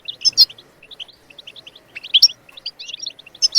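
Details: Goldfinch bebtebat song meant to encourage other birds to sing, a rapid run of bright chirps and twitters broken by sharp, ringing, buzzy flourishes.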